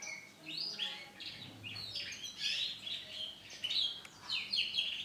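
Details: Male canary in orange and black plumage, giving continuous high twittering song of rolling trills and sweeping whistled notes, loud phrases alternating with brief quieter gaps.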